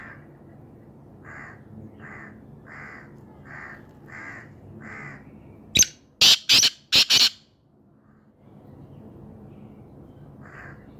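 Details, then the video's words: Black francolin calling in a steady series of six raspy, grating bursts about every second, then several loud sharp clicks, a silent gap, and one last harsh note. "BLACK FRANCOLIN VOICE کالے تیتر کی آواز"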